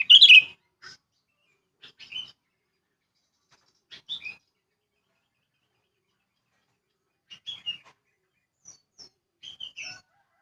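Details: Sooty-headed bulbul in a rural countryside setting, uttering scattered short chirps and clipped phrases, a loud opening note then softer bursts spaced a second or more apart, with quiet gaps between.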